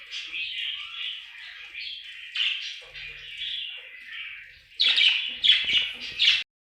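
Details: Budgie chirping happily: a running buzzy warble that turns louder and choppier after five seconds into sharp, squeaky bursts, then stops abruptly.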